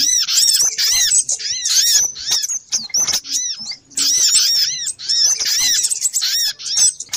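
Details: Noisy lure calls of little spiderhunter: two loud bursts of packed, high-pitched arched chips and squeaks, separated by a quieter gap near the middle.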